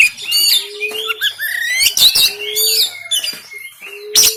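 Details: Oriental magpie-robin in Banten, recorded on an Android phone, singing a rough 'tembakan' style song used to rouse lazy caged birds into singing and tail-spreading. High whistled swoops and rising slurs alternate with harsh bursts, and a low steady tone recurs three times.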